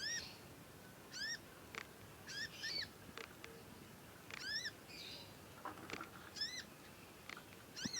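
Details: Juvenile conin chirping at length while learning to sing: sharp, arched, ringing chirps repeated at irregular intervals of under a second, with a few soft clicks.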